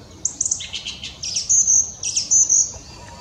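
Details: Mistle thrush (Turdus viscivorus) song at Pateira, Espinhel, on 16 March 2017: a brief run of high, thin whistled notes and squeaky flourishes with a couple of lower fluted notes between, over faint background hiss.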